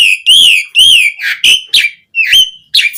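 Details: Asian pied starling singing as a lure to get other starlings singing actively, with a rich fill-in (isian) song: loud, slurred whistles rising and falling, mixed with short harsh bursts, about two notes per second.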